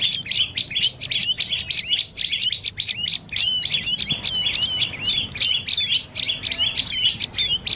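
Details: Shrill, rapidly repeated chipping from a dark-necked tailorbird, the series running on steadily with upslurred high notes at a quick, regular pace.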